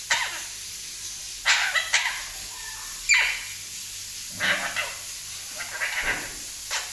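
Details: Parrot copying coughing sounds indoors: rough breathy bursts, some with a descending squeak, coming in uneven clusters over about seven seconds.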